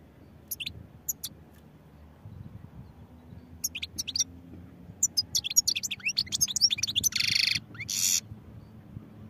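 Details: European goldfinch singing, likely kept as a cage bird; bright high twittering phrases of quick upswept notes and trills, ending in a harsh buzzy burst, against low background rumble.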